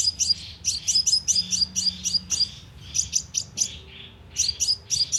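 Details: Sunbird lure call, played through a loudspeaker trap to excite birds: quick runs of thin, very high chirps and twitters, broken by short pauses before the rapid series resumes.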